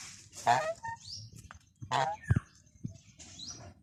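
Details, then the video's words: Two loud, harsh goose honks about a second and a half apart, with softer squeaky calls and low rumbling noise between them. "Funny Goose Sounds"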